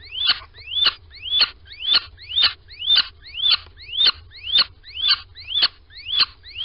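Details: Little owl at a nest box in Sprundel on 13 February 2020, early morning as the pair goes inside, piping and calling. Rising, then slightly falling squeaky calls repeat steadily about twice a second over low rumble.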